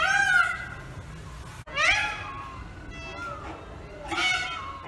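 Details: Indian peafowl on a pole calling: drawn-out wailing notes that arch up and down, several in a loose series, with a noisy background.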